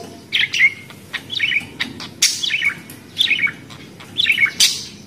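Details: Budgerigar chirping in brief, buzzy, descending twitters about once a second, with sharp click-like notes between.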